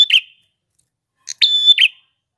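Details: Single ngalun phrase from a male red-headed prinia: a few short ticks, then a held high whistle that breaks into a buzzy trailing note, after the end of a previous buzz.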